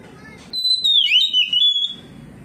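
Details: Oriental magpie-robin in full song, responding to another magpie-robin; a single long, clear whistled phrase that slides down, wavers, then holds steady for over a second before stopping.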